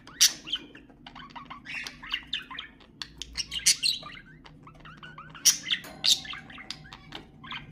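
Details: Budgerigar song for encouraging pet budgies to sing: clear chirps, short whistled slurs and sharp squawks in spaced bursts, with a soft hum in the background.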